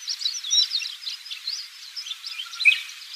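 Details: A chestnut bunting on Tsushima, Japan, gives a quiet, rambling subsong of thin, high twittering notes and short scratchy phrases without set pattern, recorded about 18 years earlier and boosted in volume.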